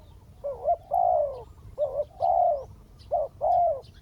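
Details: Spotted dove calling from the ground to draw a wild bird down, giving three loud paired phrases, each a short clipped coo leading into a longer, gently falling coo.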